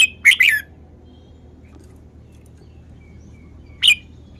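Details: Red-whiskered bulbul showing off its song style: two quick bright chirped notes close together, a long pause, then one more sharp note near the end, over a faint low hum.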